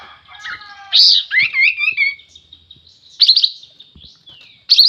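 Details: Sooty-headed bulbul singing vigorously ('gacor'): loud bursts of chirpy, warbled notes, with a bubbling, wavering phrase near the start and sharp bright notes repeated toward the end; quiet pauses between.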